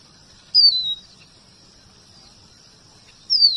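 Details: Two brief high slurred whistles from a red avadavat (emprit strawberry) used as a tutor for white-rumped shamas, each sliding downward, separated by nearly three seconds of quiet.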